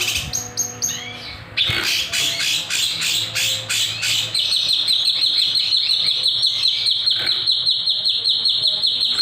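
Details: Kinoy in gacor song, nembak with sharp beset, for a master or lure track: quick separate high notes at first, then a long, even, rapid trill held steadily to the end.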